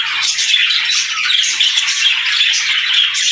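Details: Happy budgerigars chirping in the morning as they greet the day: a dense, continuous flock chatter of bright, rapid chirps, squeaks and warbles layered together without pause.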